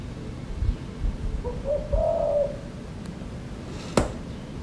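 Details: Asian koel heard near the house in the early morning: one clear rising, slightly wavering "uuwu" note over low rumbling background noise, followed by a sharp click.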